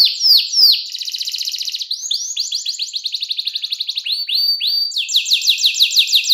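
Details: Canary with a clear 'cengkok mewah' song, used as a teaching master for young canaries: two falling whistles, a dry rapid rattle, rolling high trills, then a final run of quick repeated notes.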